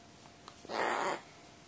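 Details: Crow fussing because it wants to keep playing when it should be going to sleep, recorded 22 May 2018; one harsh, noisy caw lasting about half a second in an otherwise quiet setting.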